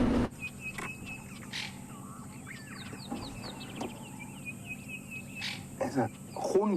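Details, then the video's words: A francolin hidden inside a bush on an African sunrise safari gives harsh, high-pitched chirring alarm bursts, possibly at a leopard, eagle or mongoose. Scattered chirps of other birds, steady insect hiss and a brief human voice are also heard. "It's that high-pitched chirring sound coming from inside the bush, which is the alarm call of a francolin."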